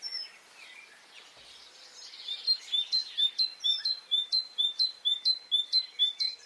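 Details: Spring morning birdsong in Brittany: quiet warbling at first, then a steady run of high, clear notes with sharp flicks, about two per second, continuing to the end.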